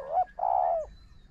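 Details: Spotted dove coo from a decoy session against a wild bird: a short rising note, then a longer throaty, purring coo that slides downward, clear over a quiet background.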